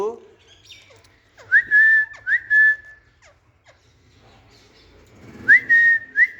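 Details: Green parrot kept as a pet, in a garden: pairs of clear whistles, each rising sharply and then holding steady, given twice, then again after a pause, among faint clicks.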